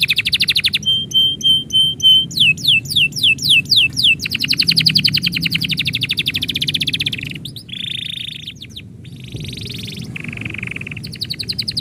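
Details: Pet canary in full song as its owner prepares to leave, pouring out varied high phrases: sharp repeated notes, quick trills, buzzy rolls and drawn-out whistled tones, with brief pauses between sections.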